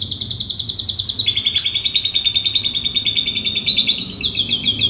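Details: Asian pied starling song meant for training birds and coaxing reluctant singers: a long, fast, high rattling trill of evenly spaced pulses, shifting pitch slightly downward midway with a brief sharp click, then rising again near the end.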